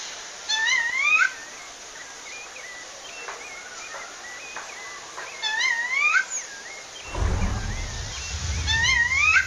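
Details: Wild female rufous-bellied thrush in Pernambuco, Brazil, calling to a male: rising whistled calls at the start and end, with short chirps from other birds between them and a burst of low rumbling noise near the end.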